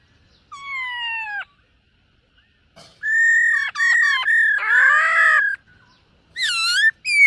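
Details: Black-throated laughingthrush in morning voice-training song while dancing: a long descending whistle, then chattering whistles and a harsh grating burst, ending in a loud arched call.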